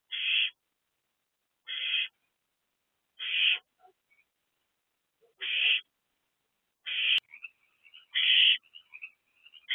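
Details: Barn owlet back in its nest box in the evening, calling for food on 20 April 2024; harsh hissing rasps roughly every one and a half seconds, followed by softer twittering chatter between the rasps.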